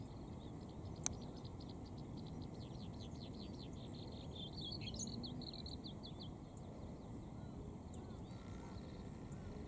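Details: Male Siberian rubythroat singing beside a cycling road: a run of quick, high, thin notes in varied short phrases over steady low background rumble.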